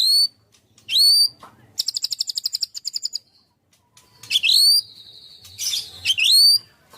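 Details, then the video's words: White-rumped shama singing energetically in 'tembakan' style: rising slurred whistles alternate with quick stuttering rattles and a sustained buzzy high phrase. "kicau murai batu gacor full tembakan"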